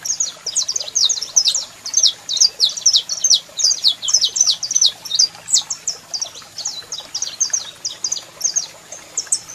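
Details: Male saffron finch singing hard alongside a calling female, a cage bird used to fire up singing: fast continuous high chirped phrases, about three notes a second, bright and sharp, steady low hum behind.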